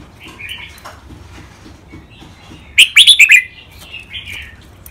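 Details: Red-whiskered bulbul, a caged contest bird heard in training recordings of two males matched against each other, gives a single short burst of bright warbled notes midway, with faint chirps before and after against a quiet room hum.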